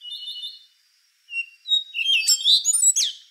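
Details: Rufous-brown solitaire song phrase opening with soft wavering high whistles, a brief gap, then an accelerating run of sharp, bright whistled notes and upslurs.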